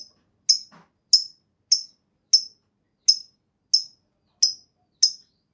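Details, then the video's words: Lovebird lure track meant to start other lovebirds singing: a steady series of brief piercing high chirps, one roughly every 0.6 seconds, separated by clean silence. "Tanpa Nunggu Lama Burung Lovebird Lain Bakal Langsung Ikut Ngekek Panjang!"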